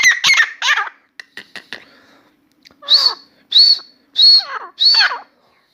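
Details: Grey francolin (Dakhni teetar) singing in a room, a newly started bird that keeps calling: three harsh phrases, scattered clicks and a gap, then four loud strident calls at a steady pace, each starting high and falling.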